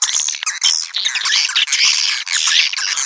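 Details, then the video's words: Swiftlets heard in a lure call: thick, overlapping high twitters and squeaky chirps pouring almost continuously, with a few brief dips. "Panggil burung walet suara panggil"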